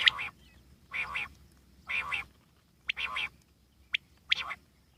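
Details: Wild common quail uttering mostly rough, nasal, buzzy notes about once a second, with a few thin sharp high notes slipped between them against a quiet background.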